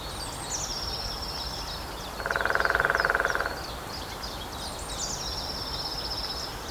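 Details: Drumming lesser spotted woodpecker on a dead trunk near Grathem, Netherlands, early spring afternoon. A single swift, evenly spaced roll of about a second sits between long, thin, high whistled songs of other birds.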